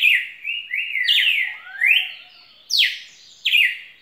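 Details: Song of a red-cowled cardinal: a run of connected whistled slurs, some rising and some falling, then sharp descending notes spaced under a second apart, loud and clean.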